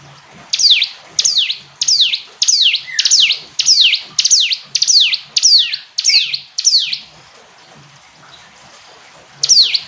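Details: Repeated bright, descending notes from a hill prinia, about ten in a steady row, then a pause of some three seconds before one more note; faint background hiss.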